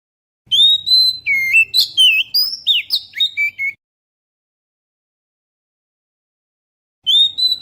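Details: GoPro Hero recording of Oriental magpie-robin song meant to attract birds: a long clear whistle leads into three seconds of busy, jumping whistled notes, then silence before a new phrase begins.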